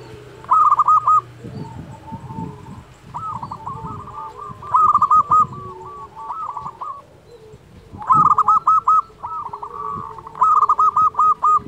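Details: Local zebra dove in full song, played to coax lazy doves into singing: repeated bursts of rapid rolling coo notes roughly every three seconds, linked by softer continuous cooing and low thumps.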